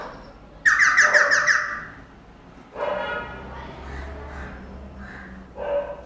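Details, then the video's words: A talking pet parrot gives a loud, harsh, rapidly pulsed squawk lasting about a second, followed by softer voiced, speech-like sounds and a brief final squawk, indoors with low background hum. "ये तोता सब कुछ बोलता है || Parrot Talking Everything Day"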